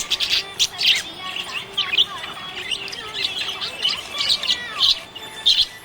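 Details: Cheerful budgerigar chatter: scratchy, squawky chirps mixed with thin whistled notes, coming in uneven clusters with brief lulls between them.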